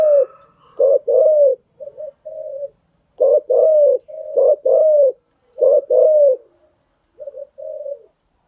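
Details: Spotted dove cooing used as a lure to train newly caught birds: repeated pairs of a short clipped note and a longer low coo, with softer brief coos between groups.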